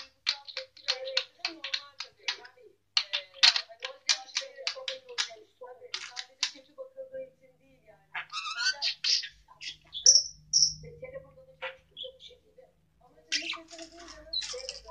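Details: A pet budgerigar chatters in rapid, scratchy bursts, mixing clicks and warbles with imitated human words, including the Turkish word "yavşak".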